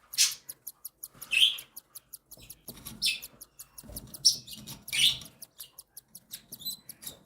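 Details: Three cockatiel chicks, one and seven days old, fed by their mother: rapid high ticking peeps repeated several times a second, punctuated by louder raspy chirps.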